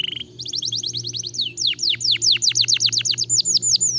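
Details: Canary song meant to stimulate other canaries: brief steady note, then a rapid run of rising chirps turning into loud, sweeping downward whistles repeated about four per second over a faint low hum.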